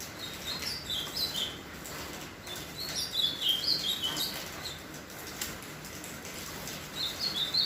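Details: Ultramarine grosbeak near the end of its moult sings short, sweet whistled phrases of rising and falling notes, repeated at intervals against a constant noisy background.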